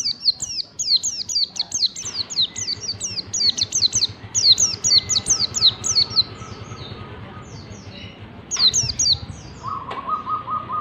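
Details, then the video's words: White-eye song in the ngalas bukpar style, used as a training recording for caged birds to learn it: rapid runs of high descending whistled sweeps repeated in quick series, pausing midway, with a steady buzzy mid-pitched tone near the end. "Masteran pleci ngalas bukpar"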